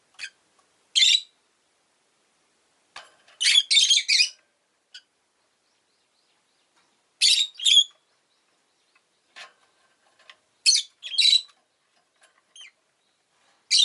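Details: Rosy-faced lovebird, a pet bird, calling in irregular clusters of two or three sharp, buzzy chirps, with several seconds of near silence between the groups.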